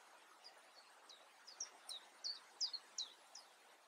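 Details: European crested tit in the Eifel, Germany, uttering a series of short high tsi notes, soft at first and growing louder, some paired, roughly three per second, against light background hiss.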